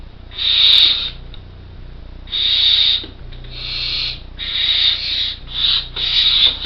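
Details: Four well-developed Barn owl chicks nearly ready to fledge in an artificial nest box in Co. Kerry give loud "snoring" hisses: harsh and breathy, about a second each, every second or two, sometimes overlapping, over a faint hum.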